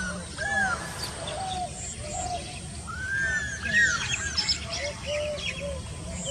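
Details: Stork-billed kingfisher calling with drawn-out arched whistles, one long rising-then-falling note in the middle, plus higher chirps and constant background hiss.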